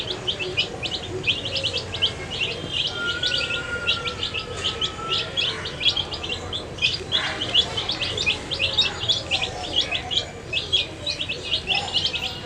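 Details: Baby chicks dyed in bright colours eat food while peeping constantly, a steady stream of thin, high chirps from many birds, with one brief whistled tone early on.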